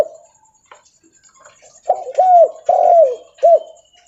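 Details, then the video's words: Leopard-type spotted dove cooing while walking: near silence, then four loud, husky coo notes in quick succession, each arching up and sliding down, the third longest. "Suara Derkuku Leopard Volume Besar Super Gacor Bunyi Sambil Jalan"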